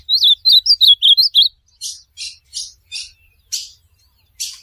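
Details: Pet-bird training recording of an ultramarine grosbeak: about eight bright, looping whistled notes in a fast warbling phrase, followed by spaced, scratchy broadband bursts roughly every half second.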